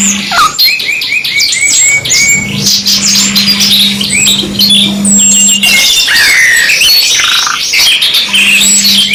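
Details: Canary singing in a two-in-one training mix: a neat run of repeated rising whistled notes, then loud buzzy chattering bursts and high trills, with a low steady hum in the background.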